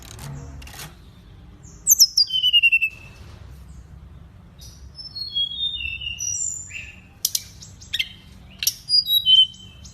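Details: Lovebird singing as a master recording for training other birds, in sparse phrases of high slurred whistles that glide downward, with scattered sharp chirps, short trills and several quiet gaps between bursts.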